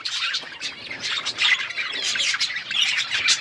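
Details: Budgies feeding on seeds keep up a loud, unbroken chorus of buzzy, rasping chirps and warbles, the many voices blending into one dense chatter.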